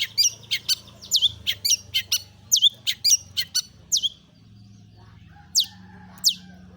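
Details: Long-tailed shrike song played as a lure to start other shrikes singing: a rapid run of harsh notes and swooping whistles, then a pause broken by two lone swoops, with a low hum throughout.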